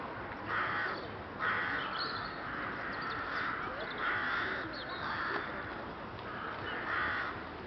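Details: Rook flock at Boscawen Park, Truro, 8 January: a series of grating, nasal caws at irregular intervals of about a second, several birds overlapping, over continuous noisy ambience.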